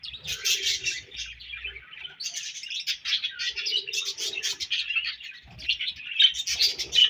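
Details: Several budgies keep up a busy high-pitched twittering of short scratchy chirps and warbles. It comes in uneven clusters, with faint lower murmurs and occasional soft rustling in the background.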